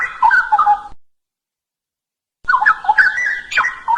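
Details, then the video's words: Straw-headed bulbul singing melodiously and non-stop, used as a tutor song for training other songbirds; two bursts of rich, bubbly warbling in mid-pitched, liquid phrases, separated by a short silence. "Kicauan Cucak Rowo Merdu Bikin Hati Adem"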